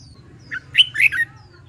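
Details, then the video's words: Red-whiskered bulbul practising competition song: one brisk phrase of three or four bright, slurred whistled notes, rising then falling, over a low constant background hum. "LUYỆN CHÀO MÀO HÓT ĐẤU"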